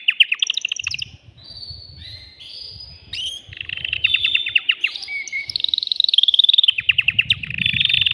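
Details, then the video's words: Agitated male canary in a cage sings to excite a female for breeding and to tutor chicks. Bright buzzy trills shift rapidly between fast repeated notes and sustained rolls. Soft low background rumble throughout. "تغريد ذكر كناري هائج يريد تكسير القفص يحفز الأنثي لتزاوج"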